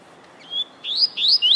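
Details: Rusty-collared seedeater warming up to sing: a thin whistled note followed by three loud, sharp rising chirps in quick succession.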